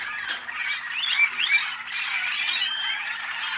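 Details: Waterslager or malinois canaries, hatched in North Canton, Ohio, USA, produce a steady flowing warble with two clear, pure whistled notes standing out near the middle, over overlapping chatter.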